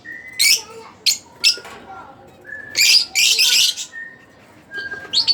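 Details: Split Blue Fischer's lovebird, a pet bird, chirping in harsh high bursts mixed with thin steady whistled notes held between the louder squawks.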